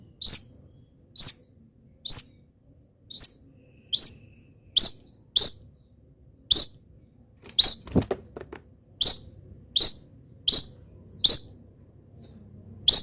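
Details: Long-tailed shrike mimicking wild birds while in molt repeats one clear, sharp, rising whistled note roughly every 0.8 seconds. A brief clatter interrupts the series midway.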